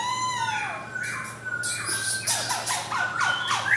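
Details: Male black-throated laughingthrush with white cheeks, caged in Jogjakarta in 2021. A falling whistle comes first, then quieter harsh squawky notes mixed with short falling and rising whistles, over a low steady hum.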